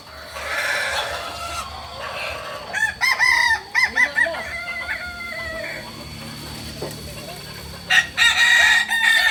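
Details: Kokok Balenggek rooster practising its crow in Solok: a long crow broken into several stepped, wavering segments, with steady background hum and noise.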